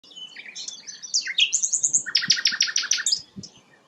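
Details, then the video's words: Sikatan londo flycatcher, described as a rare bird, singing a high, fast jumble of thin whistles and chirps, then a rapid run of buzzy repeated notes, with faint low background rumble. "burung langka sikatan londo"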